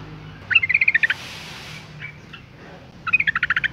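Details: Breeding female Yellow-vented Bulbul calling males with two fast rattling runs of about a dozen sharp notes each, separated by a short pause with a faint hiss.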